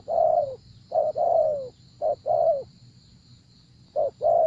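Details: Spotted dove, recorded while decoy trapping, calling loudly and close: mellow coo phrases of a short note then a long sliding downward coo, irregularly spaced, with a continuous high whine in the background.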